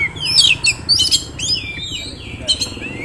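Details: Short burst from a caged Oriental magpie-robin, a Kisaran contest prospect: quick downslurred whistles and sharp chirps tumbling together, then a long gliding whistle, against steady low hum.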